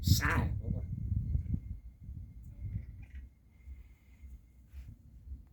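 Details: Pet African grey parrot gives a brief, hoarse, speech-like burst imitating a human voice, then a few faint thin whistles over a low indoor hum.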